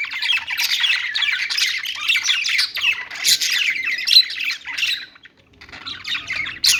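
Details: Budgies singing: a dense, continuous chatter of scratchy warbles and chirps, with sharp high squeaks mixed in, and a brief quieter gap near the end.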